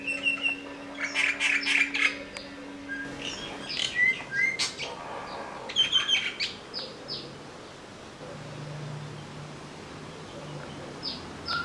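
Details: Common myna in Vryheid, KwaZulu-Natal, South Africa, 12 December 2007, calling: a burst of harsh, chattering notes mixed with clear whistles, then a few scattered calls over a low background hum.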